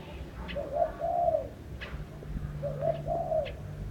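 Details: Two mellow cooing phrases from a bird, each a quick opening note followed by a longer, wavering low coo, with brief clicks in between.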